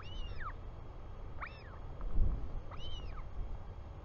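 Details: A royal albatross chick welcomes its returning father in New Zealand, 24 July 2020: three high, arching whistles, the first two close together, the third after a pause, with wind buffeting throughout.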